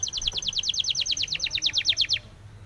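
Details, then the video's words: Spanish timbrado canary training song: an even, rhythmic trill of high downslurred notes, about nine a second, ending suddenly into quiet background hiss. "SPANISH TIMBRADO SONG FOR TRAINING - canary training song"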